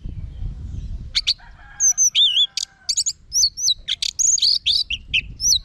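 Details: Rich, fast orange-headed thrush song mixing sharp clicks, rolling whistles and looping high slurs with hardly a pause.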